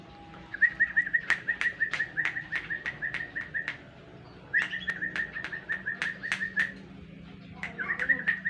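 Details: Yellow-vented bulbul lure recording meant to make other birds answer: bursts of short, bright, evenly pitched chirping notes in quick runs, separated by sharp clicks and a brief quiet gap midway, over faint low hum.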